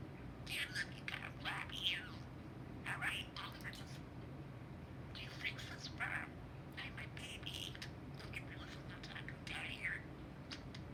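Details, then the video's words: Domestic budgerigar that talks constantly, even while sleeping, chattering indoors: rapid clusters of buzzy, warbling, scratchy syllables in runs of one to two seconds, separated by short pauses, with low background hum. "Talking budgie"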